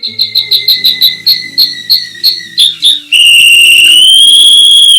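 A canary sings a quick series of about a dozen bright chipped notes over three seconds, then breaks into a long, sustained high trill with a faint hum underneath.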